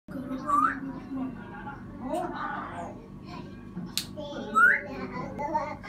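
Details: African grey parrot giving two short clear rising whistles, one near the start and one near the end, between murmured speech-like chatter and soft mumbling sounds.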